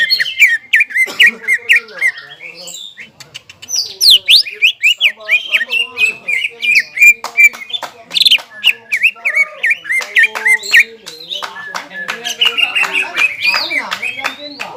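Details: Caged greater green leafbird singing loudly after being stirred to excitement: long run of quick whistled and scratchy notes, a chain of repeated chirps in the middle, varied phrases throughout.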